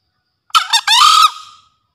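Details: A kept green junglefowl cock in full breeding condition crows once. A choppy rasping first syllable is followed by a steadier drawn-out second note that fades away. Used as a master call to lure wild birds or prompt quiet ones.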